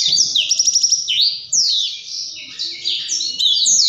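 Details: Blackthroat singing a vigorous, continuous rolling song (gacor ngerol). Rapid high slurred notes sweep downward, and a quick buzzy trill of repeated notes comes near the start, with no pauses.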